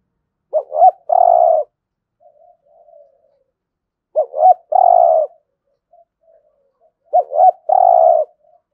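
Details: Spotted dove cooing in the 'thúc gù' manner, used for everyday training of decoy birds: three evenly spaced phrases about every three seconds, each a quick double hoot then a long low coo, with quiet murmurs between.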